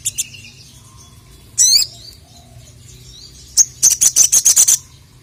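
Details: Crested jay challenging a rival. A sharp high sweeping note is followed by silence, then a burst of eight rapid, ringing high clicks in about a second, each note crisp and evenly spaced.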